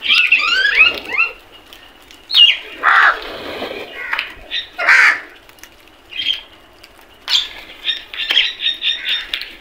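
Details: Crows fighting over food, giving loud harsh caws and squawks in overlapping bursts, some rapid repeated notes near the end, with quiet gaps between outbursts.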